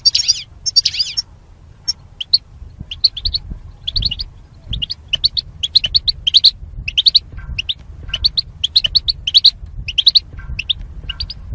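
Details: Goldfinch singing in a cage for song training among mating pairs: a buzzy twittering opening, then long sequences of high chirped notes in quick groups, with faint background hum.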